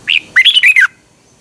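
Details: A Thai Red-whiskered bulbul sings a short phrase meant for training caged birds: a clear opening whistle, a brief pause, then a fast, bubbling four-note flourish that slides downward at the end.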